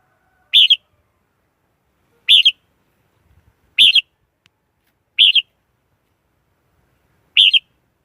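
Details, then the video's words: Red-whiskered bulbul song of brief, bright two-part warbled phrases, each ending in a quick rolling flourish, given five times at irregular intervals of one to two seconds; otherwise quiet. "Tiếng chim chào mào"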